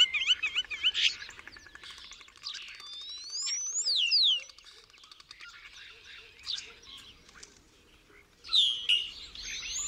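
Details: A Common Starling sings a busy jumble of clicks, rattles and high whistles, with loud sliding whistles in the middle that imitate other birds, the imitations mostly on one of its syrinx's two channels; excerpt of a roughly 20-minute song recording.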